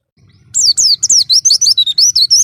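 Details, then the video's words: Oriental white-eye kept for song training delivers a continuous rush of high, sweet, downslurred whistled notes and warbling twitters, about ten notes in two seconds, over a faint low background hum. "Masteran Pleci Durasi Panjang – Suara Halus dan Bertenaga!"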